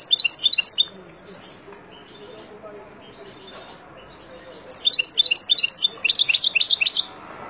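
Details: Wild European goldfinch singing as a lesson for young birds: a brief tinkling phrase, a quiet pause, then two lively bursts of rapid, high, chattering twitters and buzzy trills.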